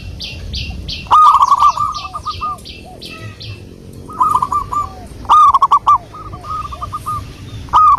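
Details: Zebra dove from local wild stock used as a lure, giving fast stammering coo phrases in loud bursts, while a higher scratchy chatter from another bird sounds early on and sharp clicks punctuate the phrases.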